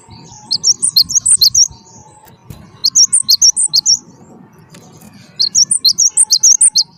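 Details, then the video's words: Java sparrow (gelatik batu wingko) song played to get other birds singing: three separate bursts of rapid, sharp high-pitched chirps, each lasting about a second, with quiet pauses and a faint steady hum between. "gelatik batu wingko gacor wiceh auto jernih segala jenis burung pasti ikut gacor"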